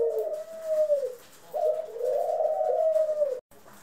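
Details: A run of low, drawn-out coos from pet ringneck, Senegal and hybrid doves kept indoors, recorded April 25, 2021. Three swelling phrases each glide slightly down before the sound stops.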